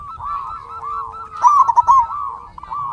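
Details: Zebra dove song used to lure and provoke other doves: a steady background of rolling, bubbling coos from several birds, broken by one louder, stuttering trilled phrase near the middle.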